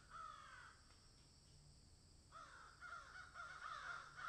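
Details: Garden crows among magpies giving one raspy caw, a pause, then a loose run of repeated hoarse caws that build toward the end.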